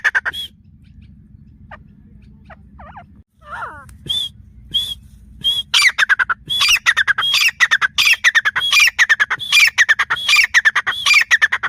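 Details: Grey francolin calling after a few seconds of near quiet with faint scattered notes; then a loud run of harsh, squawking phrases with whistled upward notes, repeated rapidly and steadily to the end.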